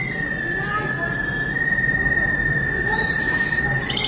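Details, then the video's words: A Malinois Waterslager canary sings, holding one long, steady, slightly wavering whistled note for nearly four seconds over a low rumbling background noise. "Special Malinois Waterslager Canary Singing"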